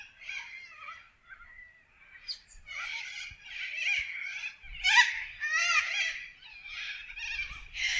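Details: Wild corellas in an Australian forest giving a run of harsh, grating screeches, several overlapping in bursts, with louder rasping calls near the end and faint low knocks beneath.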